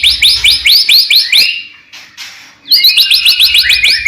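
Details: Mimicry-rich white-rumped shama song used to stir other shamas to sing. Fast rows of high upswept chirps repeat about twice a second, broken by a brief rushing noise before the chirping resumes.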